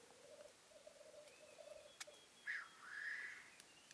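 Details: Lekking black grouse in the 2015 mating season, heard from a hide: low rolling bubbling coo in the first half, then a loud breathy hissing sneeze. Faint clicks and another bird's thin notes in the background.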